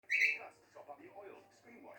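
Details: A pet cockatiel, agitated and repeating all day, gives his one loud, shrill, slightly rising "help" chirp, normally used when stuck or bothered; soft murmuring and a quiet human voice follow.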